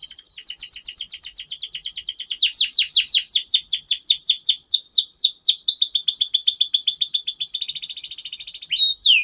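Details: Canary singing nonstop in a tutor recording for young canaries: rapid, rolling trills of high chirps, several phrases changing speed and pitch, ending with a short whistled note.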